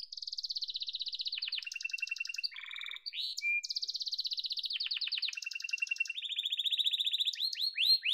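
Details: Yellow domestic canary singing: rapid trills and rolling tours of repeated notes, shifting between high buzzy runs and lower clipped trills, with a brief pause near the middle and sweeping upslurred notes at the end.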